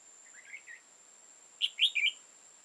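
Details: {'text': 'Red-whiskered bulbul from the wild, high-crested and dark-bibbed, on 15 October 2018 during trapping; a soft low warble, then a loud clear phrase of four bright notes.'}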